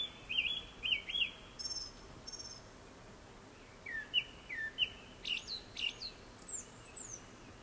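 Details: Japanese thrush singing before sunset: clear whistled notes repeated in quick pairs and triplets, then rising slurred whistles and thin high flourishes, with faint background hiss.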